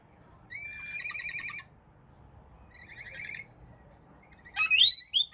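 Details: Wild rainbow lorikeets in Melbourne, Australia, on a balcony: two buzzy, trilling chatter bursts lasting about a second each, then sharp, shrill squeals at the end.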